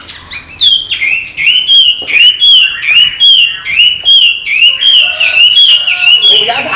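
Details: Chinese hwamei, an owner-trained pet that flies out of its opened cage and comes back in, singing loud clear whistled phrases, rising and falling, repeated in quick succession with brief pauses.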